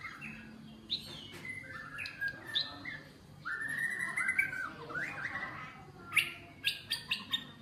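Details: Newly caged wild white-rumped shama, one week in captivity, 16 cm tail, being tamed. It gives a rich run of clear whistled phrases with rising and falling slurs, ending in sharp clicks and snaps. Low hum underneath.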